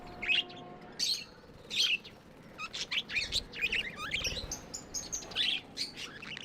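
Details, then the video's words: Budgies give a few separate sharp high chirps about once a second, then break into faster twittering chatter of squeaky, warbled notes. "Budgies amazing love & chirping sounds"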